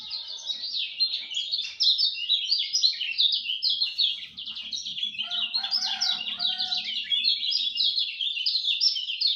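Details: At dawn, a lemon-bellied white-eye pours out an unbroken run of rapid, high, slurred chirps and twitters, with a soft low rumble and brief lower chatter midway.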